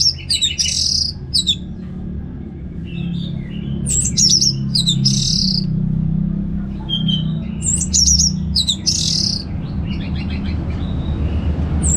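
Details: Ngeplong-style song of an Orange-headed thrush, North Bali, used to prompt kept birds to sing: bursts of high, varied, sharp phrases separated by short pauses, with a constant low hum underneath.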